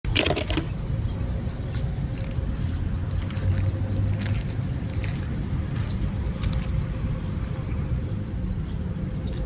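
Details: Steady low engine rumble, like a boat or vehicle, with wind buffeting the microphone and a few brief knocks.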